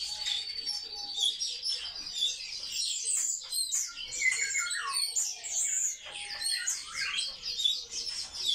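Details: Kept sparrows, social birds, fill the air with dense high chirping and twittering from several birds at once. Short downward-sliding notes and brief steady tones are scattered through the chatter.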